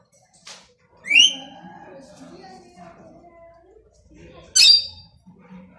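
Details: Plum-headed parakeet producing two piercing high squawks about three seconds apart, followed by softer chatter, with a human voice in the background.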